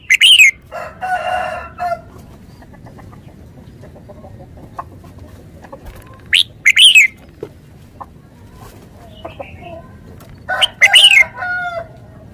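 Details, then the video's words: Decoy red-whiskered bulbul in Thailand sings three separate short phrases of quick, liquid, up-and-down whistles spaced several seconds apart, with faint chirps in between. "นกกรงหัวจุก 469"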